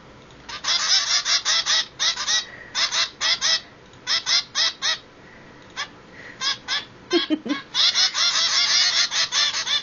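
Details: Two hungry baby zebra finch chicks begging for food: bursts of harsh, buzzy, rapidly repeated calls in runs with short pauses, becoming nearly continuous toward the end, plus one lower squawk midway.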